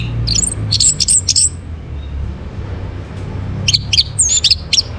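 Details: Orange-headed thrush in a morning lure recording for breeding condition: soft, high-pitched chirped and whistled notes in two short clusters separated by a quiet pause, with background hum.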